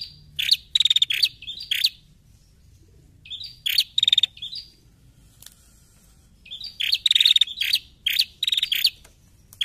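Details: Calling of a female bar-winged prinia, used as a lure for untrained prinias: clusters of piercing chirps and fast ticking rattles, with a quiet stretch of about two seconds midway before a dense final flurry.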